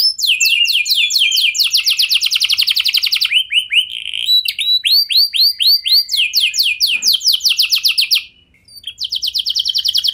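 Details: Canary lure song for prompting other canaries to answer, with long bright trills of rapidly repeated falling notes, a lower rolling phrase, swooping whistled notes, a short silence, and the trilling resuming.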